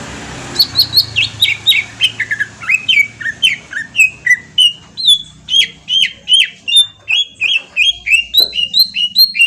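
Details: Green leafbird song used as a lure for a reply, possibly from Kalimantan: a long, fast sequence of sharp whistled and chirped notes, several per second, varying between falling sweeps and repeated bright phrases, with a low background hum.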